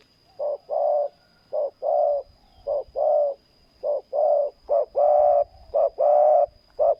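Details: Decoy spotted dove in a ground-luring setup, cooing repeatedly in low, mellow notes. Brief coos alternate with drawn-out, purring ones in a fairly steady rhythm, and a faint constant high hum is present.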